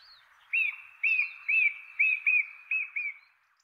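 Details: Male Song Thrush singing its characteristic tree top call in a chestnut tree, inland Kapiti, New Zealand: one clear arched whistled note repeated seven times, about twice a second, strong and even.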